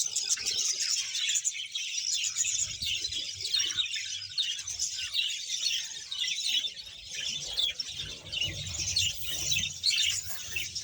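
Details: Around 100 pairs of budgerigars kept as a colony in Bahawalpur: a steady wall of high, chattering chirps and warbled notes from many birds calling together, with a faint low hum underneath.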